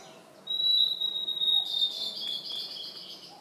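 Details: Blue-and-white flycatcher singing in Khingan State Nature Reserve, Amur Oblast, Russian Far East: a long, thin, high whistle held steady, then a bright, buzzy, warbling flourish, in a quiet forest.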